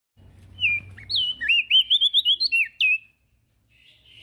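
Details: Male prenjak daun (prinia) singing actively, used as a master recording to train other birds: a rapid run of clear whistled notes sliding up and down, about ten quick slurred syllables in three seconds, then near silence.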